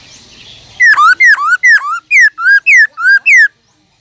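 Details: Caged black-throated laughingthrush singing a wild-type song to stimulate other laughingthrushes: eight loud, clear whistles in quick succession, each dropping sharply then swinging back up, over a quiet background.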